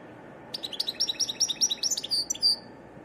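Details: European goldfinch song phrase: a quick series of high, slurred chirping notes repeated in a lively rhythm, ending in a couple of longer, drawn-out whistled notes; clean recording with little background noise.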